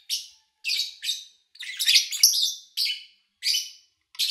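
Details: Lovebird sounds from August 2019, recorded with little engine noise or human activity; shrill rasping chirps in short bursts, with a longer run of harsh overlapping notes near the middle.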